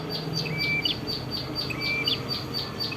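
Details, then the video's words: Red-headed prinia in vigorous song, recorded in Kedungprahu village, Padas, Ngawi, East Java, Indonesia; sharp high chirps repeated about twice a second, with short flat whistled notes slipped between them, over a low background hum. "mp3 Suara Prenjak Kepala Merah Gacor"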